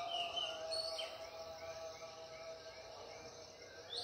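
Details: Dawn birdsong at Ella Rock: a few thin whistled phrases and soft rising slurs, some repeated, over a constant droning hum and faint background hiss.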